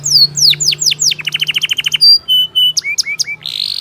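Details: Atlantic canary song offered as a remedy for a canary that is stuck and reluctant to sing: fast varied phrases of descending whistled sweeps, then rapid repeated trill notes and short buzzy chips, with a faint low hum beneath.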